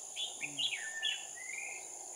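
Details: Red-whiskered bulbul decoy singing at a trap on 7 January 2018 to lure a wild flock down: short bright warbled and chirped phrases, one long rising whistle, over a steady high insect drone, with a man's voice briefly underneath.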